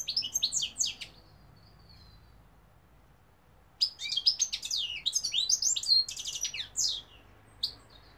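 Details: European goldfinch singing, Algeria: rapid bursts of liquid twitters, buzzy trills and sweeping chirps, a one-second phrase, a long pause, then a richer three-second stretch of tumbling high notes ending in one final chirp.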